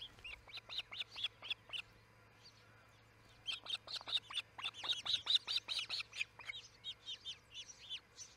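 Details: Early-morning calling from ospreys at the Charlo nest, 6 a.m., July 4, 2018: a quick series of high, piercing whistled chirps. A first run breaks off, then a longer, denser run follows.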